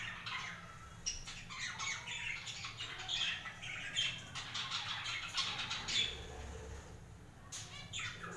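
Budgerigars chatter in a busy flock, with scratchy chirps and squawks overlapping continuously.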